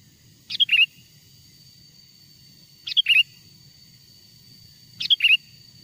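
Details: Wild-bird lure of the sooty-headed bulbul: three evenly spaced whistled phrases about every two and a quarter seconds, each opening high then tumbling into a short liquid warble; light background hum.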